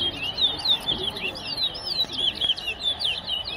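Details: Competition birdsong from a towa towa at Tuschen bird ground, West Essequibo: a steady run of clear high whistled chirps, each briefly slurred up and down, delivered several per second over low crowd noise.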